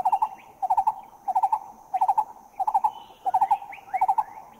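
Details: Green-eared Barbet, Thailand, giving clipped groups of three or four mellow, low notes roughly every two-thirds of a second, very regular; faint rising whistles from other birds join toward the end.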